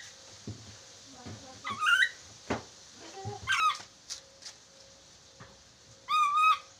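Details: Chattering lory calls in a training recording meant to get the bird talking quickly: three short bursts of warbled, harmonic, wavering calls, the last one longest, with scattered clicks and taps and a steady faint electrical hum.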